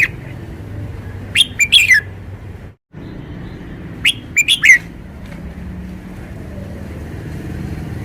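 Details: Caged red-whiskered bulbul showing its song style: two bursts of loud, fluty whistled notes sliding downward, each a quick cluster of four or five notes, about two and a half seconds apart, with quiet low background hum between.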